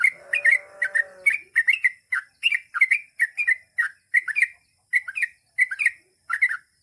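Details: Yellow-vented bulbul (trucukan) in lively gacor singing with long ropel phrases, meant to prompt other trucuk to answer: quick repeated bright chirps and slurred whistled notes in steady bursts, with a low warbled phrase at the start.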